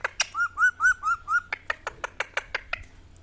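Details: A ringneck parrot, angry and fighting, utters a quick series of five arched squawks, then a run of sharp, evenly spaced clipped notes, about a dozen in three seconds.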